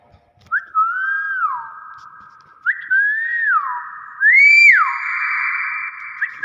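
A common hill myna gives three loud, clear whistles about two seconds apart, each swooping up then sliding down, with a ringing buzzy tone trailing after each one.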